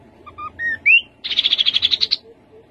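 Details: Rufous-capped babbler song: a few short high whistled notes, the last one rising sharply, then a quick even run of about twelve piping notes lasting under a second, over a quiet background.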